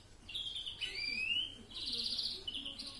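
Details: European greenfinch singing a mixed song (karışık ötüm): a slurred rising whistle gives way to a long nasal buzzy trill, then a faster ringing rattle, all high-pitched, with a faint low background hum.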